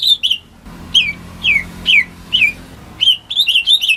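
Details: Domestic greater green leafbird, kept as a lure for birds that have stopped singing, giving clear descending whistles spaced about half a second apart, opening and closing with quicker chirped phrases; faint low hum beneath.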